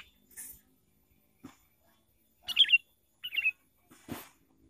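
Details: Lure recording of a sooty-headed bulbul used for trapping: two short liquid, warbling phrases about a second apart, with soft clicks and a brief scratchy noise around them.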